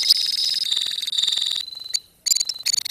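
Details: Lovebirds kept as a colony trill in a high, buzzing chatter that fades, stops briefly, then returns in sharp squeaky bursts.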